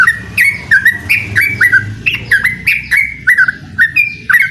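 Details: Yellow-vented bulbul calling out a rival, giving clear, downslurred whistles in a lively, uneven series against a low background hum.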